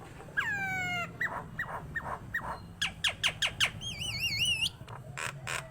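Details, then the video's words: Nias hill myna singing actively. A long descending whistled slur leads into short repeated calls and a run of sharp clicks, then a warbling, wavering tonal passage and a few final squawks. "JALAK NIAS GACOR"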